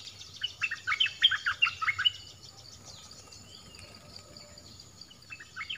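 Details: Southern dok taeng bird song, played to teach young birds to sing: a quick string of about ten bright, bouncing whistled notes, then a pause and a brief return of similar notes. A faint steady hiss sits underneath.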